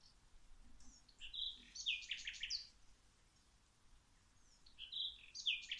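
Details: Birds singing outside during plant watering: two clusters of rapid, high, tinkling chirps a few seconds apart, over soft background hiss.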